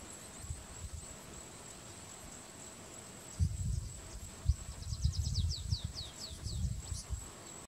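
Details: Stripe-tailed yellow finch at Sobradinho, São Tomé das Letras, Minas Gerais, Brazil, 7 March 2020, giving a quick run of about eight thin, high, downslurred notes over low wind rumble and a steady high insect-like hiss.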